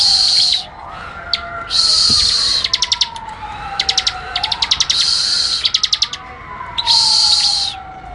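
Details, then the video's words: Bar-winged prinia singing for cage-bird training: loud buzzy hissing phrases lasting about a second alternate with quick series of crisp, high ticking notes. A faint siren-like tone rises and falls throughout. "Masteran burung ciblek semi"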